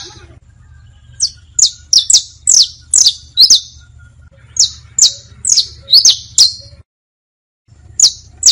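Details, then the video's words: Teaching song of the saffron finch, styles bastos, pintos and finos: a steady series of bright, high chirps, each sliding quickly downward, roughly two per second, with a short pause near the end. "Una hora de Cantos para enseñar canarios, bastos, pintos, finos... (Sicalis Flaveola)"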